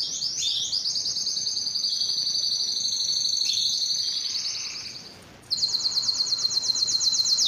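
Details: Belgian canary in full song, a long, high, rapid trill rolling on for several seconds, fading, then resuming after a short gap with another fast, bright trill.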